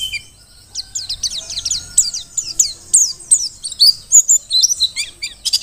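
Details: Wild-caught Mountain white-eye from Merapi, the Dakun type, singing vigorously: a fast run of thin, high, downslurred chips, some bunched in pairs, building into denser twittering toward the end. The background is otherwise quiet.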